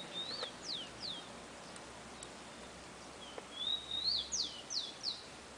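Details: Two song phrases from a Rufous-collared sparrow in a garden. Each opens with thin whistles, then ends in a rapid series of bright, falling slurred notes. A faint tap is heard between the phrases.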